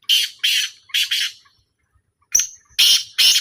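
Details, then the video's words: Black francolin in a calling trial, delivering rough, scratchy notes, first three spaced bursts, then after a silent gap a thin whistled lead-in followed by two more harsh grating notes. "A Small Trial Of Black Francolin"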